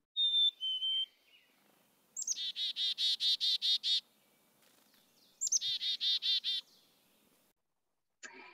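Black-capped Chickadee: a clear two-note falling whistle, then twice the harsh chick-a-dee call, a high sharp note followed by about eight rapid buzzy dee notes.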